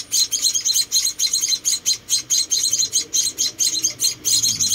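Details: Four rescued baby munias at feeding time keep up a stream of high, wheezy cheeps in clustered bursts, each burst a quick flurry of notes.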